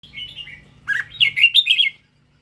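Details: Red-whiskered bulbul of the Indo strain singing indoors: a soft whistled opening, then a quick burst of liquid, bubbling warbled notes that rise and fall before stopping abruptly.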